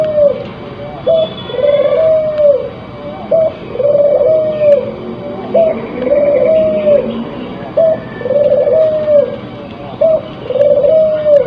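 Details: Spotted dove in breeding condition, crossbred, cooing in a regular rhythm: a brief rising note then a longer wavering hoot, about every two seconds, with soft higher twittering in the background.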